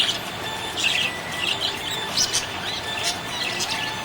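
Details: Budgerigar described as happy, chirping: bright, quick high chirps and short warbled notes in an almost continuous chatter, with a faint steady tone in the background.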